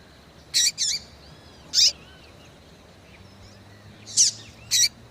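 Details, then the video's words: Calling female Yellow-bellied Seedeater, her calls meant to excite males: five brief high-pitched chirps, loosely paired, with a long quiet gap midway, over soft low hum and hiss. "fêmea de coleiro baiano chamando Muito Pra Esquentar coleiro baiano"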